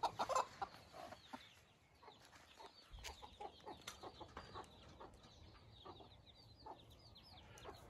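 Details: Newborn Silkie chicks outdoors for the first time with their hens, four hens and 24 chicks in all: scattered high, falling peeps, some overlapping, mixed with lower hen clucks and soft background rumble.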